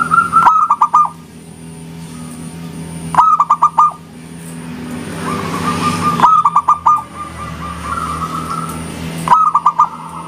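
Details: Zebra dove of local stock singing its engkel style to provoke replies: bursts of rapid, clipped cooing notes repeated about every three seconds, with softer drawn-out coos between, over a low mechanical hum and a thin high tone.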